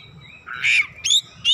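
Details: Oriental magpie-robin responding forcefully with its fill-in material: a drawn whistle, then a harsh raspy burst, then a rising whistled note, all in quick succession.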